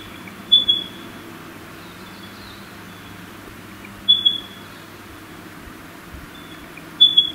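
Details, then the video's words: A golden whistler gives three short, high whistled phrases about three seconds apart, each ending in a sharp flourish, over a low, steady rumble like distant traffic. "Golden whistler"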